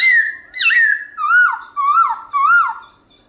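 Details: Black-throated laughingthrush singing forest-style song in many voices, meant to rouse caged laughingthrushes. A long steady whistle, then four ringing notes that each dip and rise, spaced roughly every two-thirds of a second.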